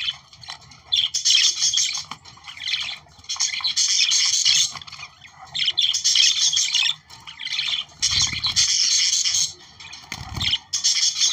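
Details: Australian budgerigars chattering to stimulate breeding, repeated squeaky warbling phrases of one to two seconds with short gaps, a couple of low thuds near the end.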